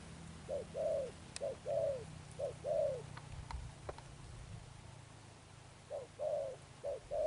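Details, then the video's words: Spotted dove, a newly caught bird, giving Sấm Thổ-style coos: short note followed by a drawn-out steady coo, three pairs, a pause of about two seconds, then two more pairs, with faint clicks. "Gù Âm Sấm Thổ"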